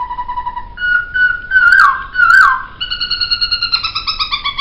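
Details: Laughingthrush song on a songbird training track: steady whistled tones, two loud wavering warbles, then a quick run of evenly repeated short notes.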